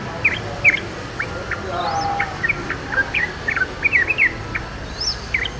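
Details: Wild yellow-vented bulbul singing: short chirpy notes, some slurred up or down, scattered quickly across five seconds, with thin high rising whistles at the start and end.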